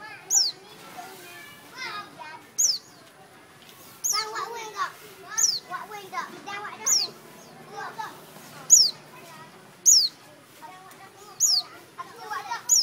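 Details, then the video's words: An Everett's white-eye in Thailand gives thin, high, downslurred call notes every one to two seconds, over children's voices and chatter in the background. "Everett's White-eye sound"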